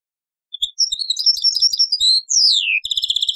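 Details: European goldfinch song in the taqsrain style, copied from an old cassette: a rapid, tinkling twitter of high, liquid notes, then a quick descending slurred whistle, followed by a run of fast, evenly spaced metallic ticks.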